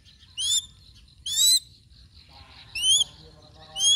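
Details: A hunting crested goshawk gives four shrill, high, slightly rising squeals about a second apart, with a faint low rumble and soft background chatter.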